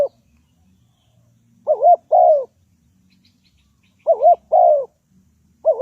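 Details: Spotted dove lure bird used in trapping. Paired coos, a short undulating note then a longer descending note, come in bursts separated by several seconds of near silence.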